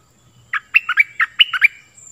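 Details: Short stripe-throated bulbul song phrase, used for training chicks and luring wild birds: seven or eight liquid, warbled chirps alternating high and low in a brisk, bouncy rhythm, with a faint hum behind.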